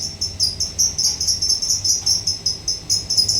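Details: Lovebird in ngekek chatter: a rapid, steady string of short, sharp, high chips, about two or three a second, running without pause over a low hum.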